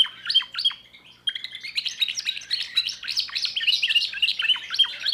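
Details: Song of a young 2024 timbrado canary with a new repertoire: a few separate falling chirps, a short pause, then a dense rolling trill of rapid notes that carries on without a break.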